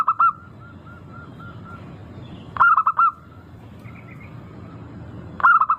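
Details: Zebra dove, local type, cooing as a lure meant to make birds start singing. Bursts of fast pulsed coos about every two and a half to three seconds, separated by a soft run of evenly spaced gentle coo notes.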